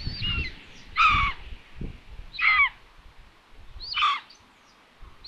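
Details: Mewing, downward-sliding cries of common buzzard at a nest in Tiszalök, Hungary, in June during food delivery, roughly one every one and a half seconds, with low thumps and rustles underneath.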